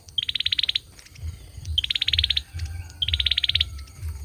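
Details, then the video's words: Male olive-backed sunbird sings three quick high trills of evenly spaced pulses, each starting with a sharp note, with a rumbling low hum underneath. "Tiếng chim sâu dừa hót | Tiếng sâu dừa trống hót"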